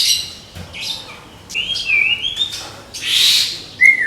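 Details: Caged Medan white-rumped shama in burst-style 'tembakan' song: brief high scratchy notes, a smooth whistle rising and wavering, then a loud hissing burst and a final sharp whistled note.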